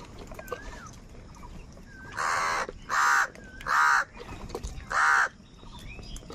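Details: Crows quarrelling over food call loudly in anger: four raspy, drawn-out caws in a row about a second apart, with softer rising and falling calls and clicking sounds in the background.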